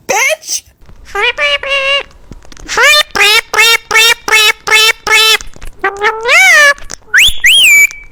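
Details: Pet parrot talking, producing a string of short, speech-like syllables of even length, repeated roughly once a second, then a rising, drawn-out squeal and a final sharp whistled note.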